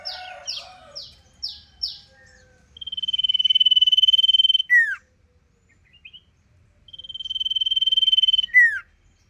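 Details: Sirpu opening with four quick descending chirps, then twice delivering a long steady pulsed trill that ends in a sharp downward whistle, with a pause between the phrases.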